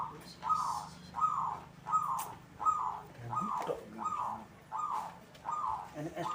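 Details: Zebra dove of a local strain cooing steadily: short, mellow, bubbling coo notes repeated about every 0.7 seconds in an even series, with a faint low hum underneath.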